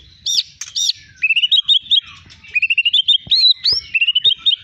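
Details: Champion caged white-rumped shama from Medan with a long tail sings two loud arched whistles, then quick runs of short rising notes repeated in brisk series, all high-pitched and clear.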